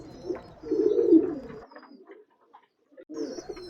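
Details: A male Giribaz domestic pigeon (Columba livia domestica) from Rajshahi, at a sale, gives a low, throaty, rolling coo, then starts another after a brief pause.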